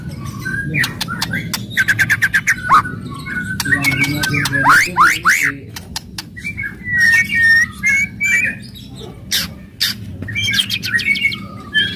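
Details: White-rumped shama in aggressive song to excite other birds: trains of rapid clicks, varied whistles and slurred phrases, later clear repeated whistled notes, over low humming noise.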